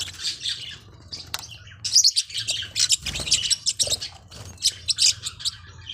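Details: Forpus parrotlets, small hook-billed parrots, producing busy high chirping and twittering in irregular bursts, loudest in the middle, over a soft low hum.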